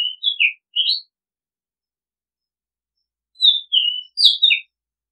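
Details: Oriental magpie-robin, used as a decoy-bird call, sings two whistled phrases of slurred, rising and falling notes about three seconds apart, with a sharp high click in the second phrase and no other sounds.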